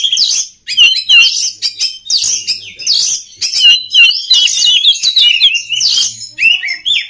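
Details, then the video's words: Oriental magpie-robin song for training other birds to sing: loud bursts of bright whistles mixed with buzzy, scratchy phrases, delivered in clusters with short gaps. "SUARA KACER PALING DI CARI UNTUK MELATIH MENTAL KACER LAIN AGAR CEPAT GACOR"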